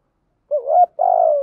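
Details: Single low coo from a decoy spotted dove luring wild birds: a wavering opening note rising slightly, a short gap, then a sustained, gently falling buzzy note.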